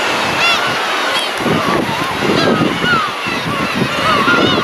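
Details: A huge flock of black-tailed gulls giving mewing, cat-like 'nya nya' cries. Overlapping arched calls rise and fall throughout, with a steady rush of wind and surf underneath.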